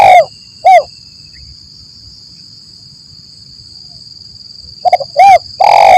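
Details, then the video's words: Trapping lure of a spotted dove, 'lambung kuk 1 mersik' style: a trailing coo and one clean coo, then near-silence for four seconds before stammered notes, a coo and a long rolling coo, all over a constant high, thin buzzing tone. "Suara Burung Tekukur Gacor || Pancingan Suara Tekukur Paling Di Cari Pemikat"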